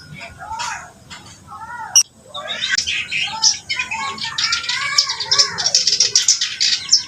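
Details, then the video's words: Reed warbler singing vigorously. Scattered whistled notes open the phrase, then a dense stream of rapid, harsh chattering and buzzy high notes builds after the second second and runs on to the end. "burung kerak basi gacor"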